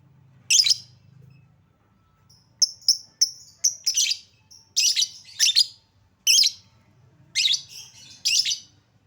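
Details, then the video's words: Lovebird chatter used as a lure to make lovebirds sing: shrill raspy screeches interleaved with quick high squeaky twitters, forming a busy, irregular sequence over a faint low hum. "Lovebird Susah bunyi Pancing Dengan Suara pancingan Lovebird ini, Pasti bakal langsung Respon Cepat"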